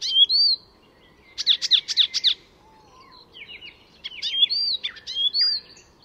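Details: Icterine warbler, recorded north of Stockholm, Sweden, mixing mimicked notes: a whistled phrase, four loud rasping chirps, a pause, then a jumble of chattering twitters and sweet whistles.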